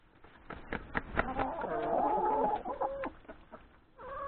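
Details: Domestic chickens, hens with three roosters, feeding at breakfast in a yard before going to graze in the forest; irregular low clucks and a drawn-out level squawk from several birds at once.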